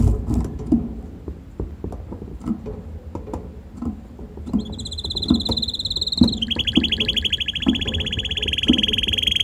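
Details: Hand-tame red canary in a garden, singing happily once outside. Several seconds of soft knocking and rustling come first, then a high, thin, sustained trill begins and shifts into a lower, rapid, buzzy trill running to the end.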